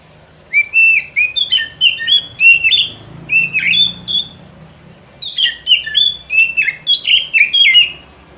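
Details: White-rumped shama song meant to lure the bird for trapping in the forest: two bursts of rapid varied whistles and chirps, each several seconds long, separated by a brief pause, with faint low background hum.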